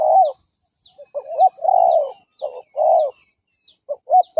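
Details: Decoy coo of a spotted dove, used to attract and challenge wild males: deep, hollow notes in a short-long-short pattern, pausing, then resuming, while small birds chirp faintly high above.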